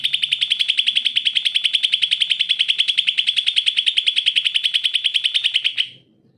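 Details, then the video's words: Greater green leafbird in full song, used as a lure to prompt leafbirds that are lazy to sing: a long, fast, even trill of sharp high notes repeated for about six seconds, then stopping abruptly. "CUCAK IJO GACOR, COCOK BUAT PANCINGAN CUCAK IJO MALES BUNYI"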